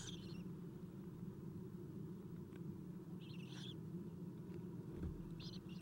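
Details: Eastern screech owl owlets in their nest during a 7:04 am feeding on 11 April 2016, nest camera; scratchy hiss-like bursts at the start, middle and end over continuous low hum.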